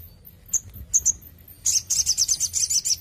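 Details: Crimson sunbird kept under intensive care: a few isolated high, thin ticks, then a fast, even run of piercing high notes forming a rapid trill.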